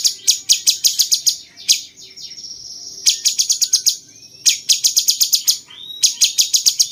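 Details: Cucak cungkok bulbul singing 'rasa jenggot' style as training material for champion birds: four clustered bursts of quick, shrill, high-pitched chips, each lasting about a second, separated by short gaps with thin falling notes.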